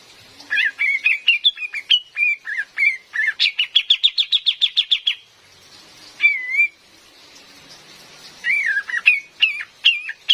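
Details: Female cream-vented bulbul, used as a lure for forest trapping, giving a long lively run of whistled notes that speeds into a rapid even chatter, then pauses before slurred, wavering whistles resume.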